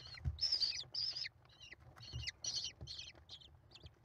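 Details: Mother American kestrel feeding five chicks at a nest watched by a live camera, 28 May 2021; the young give loud grating squeals in short bursts separated by brief pauses, with dull knocks.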